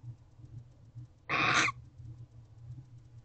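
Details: A female barn owl in a nest box at 5:13 am on 8 November 2023, her attention on something outside, gives a single harsh, hissing, rasping screech of about a third of a second over a quiet low hum.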